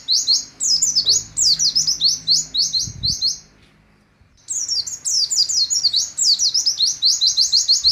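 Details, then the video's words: Oriental white-eye giving its nembak song, a stream of high twittering whistled phrases broken by a short silence mid-way before the rapid bursts resume. "Pleci Nembak Sejalur "LANGSAM""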